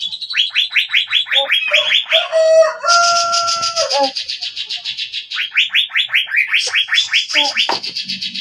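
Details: Javan green magpie song of quick repeated downslurred whistles, interrupted midway by harsh buzzy chatter and a steady held tone, then resuming the fast whistled series.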